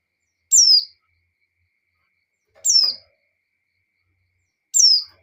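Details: Female white-eye in breeding condition summoning the male: three brief, high-pitched falling notes about two seconds apart, otherwise quiet.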